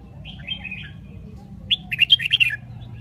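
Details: Red-whiskered bulbul from Binh Dinh, Vietnam, a caged bird singing: a soft warbled phrase early, then a burst of bright, quick chirping notes jumping up and down over about a second, with a low background hum.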